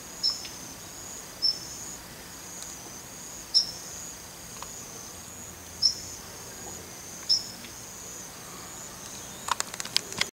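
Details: A male Daurian redstart, calling daily around a house, gives five thin, high, sharp call notes at irregular gaps of one to two seconds, over a steady high insect drone.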